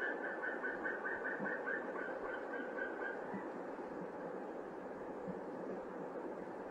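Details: Norwegian white-tailed eagle pair at their nest, 8 February 2017, both out and yelping together in a fast, slightly falling series of about fifteen high notes over three seconds, against steady wind noise; the male had brought hay.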